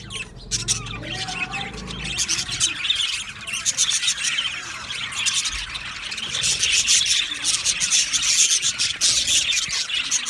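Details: Many male budgerigars in a colony aviary, recorded 8 December 2025, filling the air with continuous rapid scratchy warbling and chirping that grows louder toward the end.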